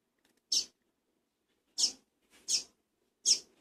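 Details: Double-collared seedeater chick from a first captive brood, calling while being fed: four short, shrill, high squeaks at irregular intervals of roughly one second, otherwise quiet indoors.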